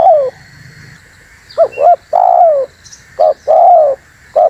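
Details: Spotted dove lure call for attracting wild doves: repeated phrases of paired short coos leading into a longer falling coo, the rhythm running about every one and a half seconds, with a few faint high chirps in the background.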